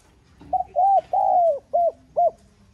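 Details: Urging coo of a spotted dove, 'giong son' voice, used to stimulate other doves: five mellow hooting notes in quick succession, the third longest and gently falling, the last two short and clipped.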